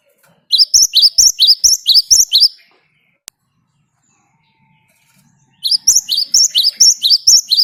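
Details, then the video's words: Great tit singing in the energetic 'ngerol' style, used as a lure to prompt other birds: bright two-note high whistles repeated rapidly, about two per second, in two bursts separated by a silent gap with a single click. "Ngalas Ngerol Burung Gelatik Batu Gacor buat Pancingan"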